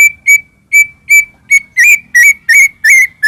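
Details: A strongly singing white-rumped shama whose song is meant to provoke a rival shama into singing: a series of short, clear whistled notes repeated about three times per second, growing richer and more slurred.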